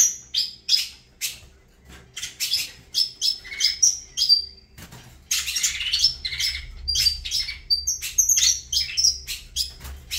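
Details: High, piercing chirps and thin whistles from a saffron finch, spaced out at first, then a denser burst of fast notes after a short gap, with a soft low rumble underneath the second half.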